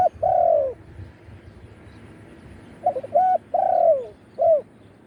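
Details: Live khan yon cooing from a spotted dove used to lure wild doves with a branch decoy: a long mellow coo opens, then after a pause a phrase of short notes, a drawn-out falling coo and a final clipped note.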